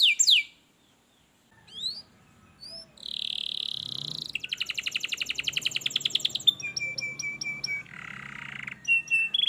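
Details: Canary song played to stimulate a lazy canary: sharp notes, a pause, then a buzzy trill, a fast rattling roll, clear repeated chips and a low buzzy phrase.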